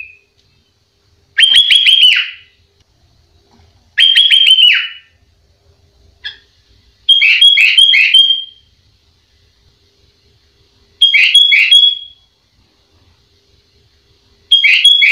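Sooty-headed Bulbul giving loud, bubbly phrases of rapid, slightly buzzy notes, each about a second long, repeated every three to four seconds against a quiet background.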